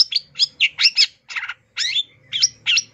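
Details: Cendet, the long-tailed shrike, in a full fill-in master song: fast run of varied notes, sharp whistled slurs mixed with rasping chatter, nearly continuous with brief breaks, faint low hum underneath.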